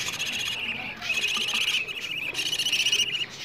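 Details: Begging budgerigar chicks asking for food, played back to encourage adult budgies to breed, morning and evening: a near-continuous stream of rasping, grating calls with only brief gaps between bursts.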